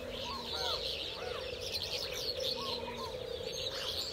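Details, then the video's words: A captive thick-knee pair, kept over two years in a private reserve, during their first observed mating on 25 February 2019: short, arching whistled notes, rising then falling, about three in four seconds, over dense high chatter of other birds. "تزاوج الدرج الكروان العسلي"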